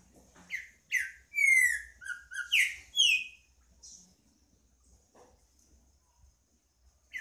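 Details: Green-winged saltator delivers a strong whistled song phrase: a string of full, descending slurred notes over roughly two seconds, then quiet with a few soft clicks.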